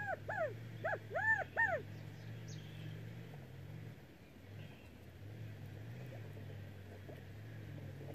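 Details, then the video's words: A California Quail gives four quick, arching, nasal notes in under two seconds, then falls silent over a steady low mechanical hum. "Canto de codorniz californiana"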